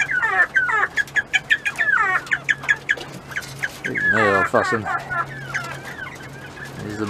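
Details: Mountain quail in a pen while eating treats, uttering chirpy downslurred notes in an irregular series, then a louder harmonic call, with a low hum beneath.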